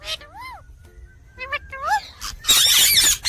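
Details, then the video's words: Talking ringneck (rose-ringed) parakeet gives arched, whistled chirps and a few speech-like syllables, then ends in a harsh, raspy screech. "Talking Parrot Chirping Sounds"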